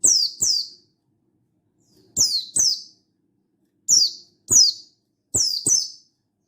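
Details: Mountain white-eye calling a rival in wild style, 16/8/22, delivers four evenly spaced pairs of shrill chirps, each note dropping sharply from a high start, with silence between pairs.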